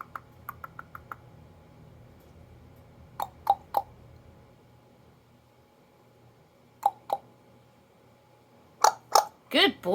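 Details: On Hilton Head Island, South Carolina, a male pet parrot in the living room gives sharp, hollow clucks and clicks, mostly in quick pairs a few seconds apart, while a woman coaxes him in a high voice to talk and cluck.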